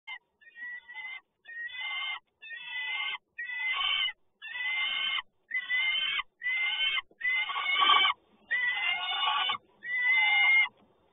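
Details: Peregrine falcon at Toruń on 30 May 2019, mid-morning: a long series of harsh, drawn-out wailing calls, each lasting about a second, repeated steadily with brief pauses between them.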